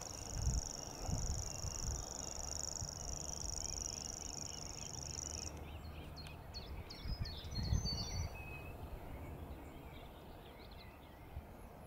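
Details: Grasshopper warbler reeling in Totteridge Valley, 6 May 2017: a loud, steady, high insect-like trill for over five seconds, then it stops and other small birds twitter and chip over gusty wind.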